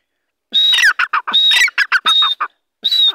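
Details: Released grey francolin uttering a loud series of harsh squawks, each burst led by a high, drawn-out whistled note, in groups separated by short pauses and ending with one more burst after a gap.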